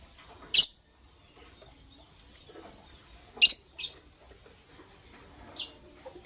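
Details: Creamino and Lutino Opaline lovebirds in the morning giving three loud, shrill, clipped chirps, spaced irregularly with quiet gaps between them.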